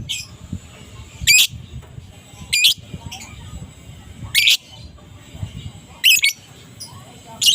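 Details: Adult fighter lovebird calling in the morning as a lure for silent lovebirds: single loud, shrill squawks spaced one to two seconds apart over a low murmuring background.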